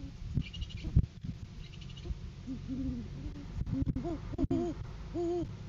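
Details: During courting season on a farm live cam, January 7, 2023, a male great horned owl arrives with a food gift and the female comes to take it. Deep hoots sound in short groups, later ones stronger and overlapping, over low background rumble and clicks.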